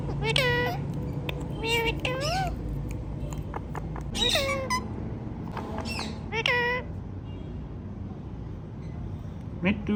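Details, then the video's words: Ringneck parrots talking in separate bursts of nasal, harmonic, word-like syllables that swoop up and down, spaced by short quiet gaps, with a low background hum. "Talking Ringneck Parrots"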